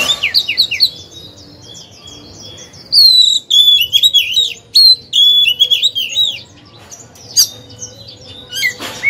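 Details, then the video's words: Oriental magpie-robin, a caged decoy singer meant to draw other birds into song: a run of fast downslurred whistles, then a loud burst of varied warbling and clicks, ending quieter. "Chòe than hót hay, luyện mồi, kích bổi"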